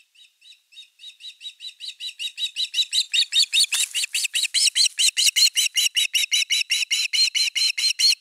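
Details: Osprey at nest #3 on a nest camera, 30 August 2021, with an evening fish: a long run of sharp whistled chirps, about two and a half per second, starting soft and growing steadily louder.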